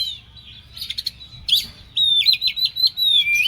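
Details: Agitated, excited Oriental magpie-robin singing a varied run of clear high whistles, some sliding and some in quick chirpy clusters, with a sharper burst of rising and falling notes in the second half.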